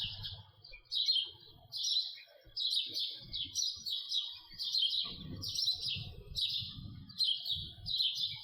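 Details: House sparrow giving a long run of high, harsh chirps at a steady pace, about one per second, over a murmur of low background noise.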